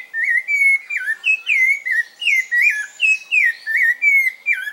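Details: Rufous-bellied thrush kept by its owner, giving a sustained song of loud, clear whistled phrases, each slurring up and down, delivered in a rapid steady sequence about three per second, with faint higher notes behind.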